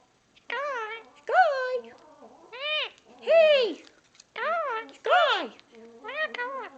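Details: Talking indoors to a new toy monkey: a three-year-old male Indian ringneck parakeet, cage-free all his life, gifted the toy on National Bird Day, January 5, 2015. Seven high-pitched, arching spoken syllables come in quick bursts with short gaps.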